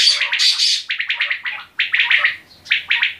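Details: Quail giving a dense, almost continuous series of harsh, scratchy chirps in quick clusters, broken by two brief gaps.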